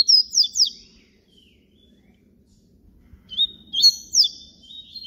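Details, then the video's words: Canto flauta of the papa-capim baiano, yellow-bellied seedeater: a quick high whistled phrase of steep slurred notes, a two-second pause, then a longer phrase of bright whistles. "papa capim baiano canto FLAUTA"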